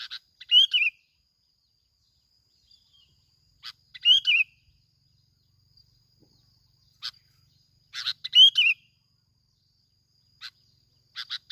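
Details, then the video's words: Sooty-headed bulbul kept as a lure bird in Bình Thuận, Vietnam, repeating a short bubbly warbled phrase about every four seconds, each phrase followed by sharp single chirps, in otherwise quiet surroundings. "bông lau Bình Thuận. tiếng chim bông lau kít bổi"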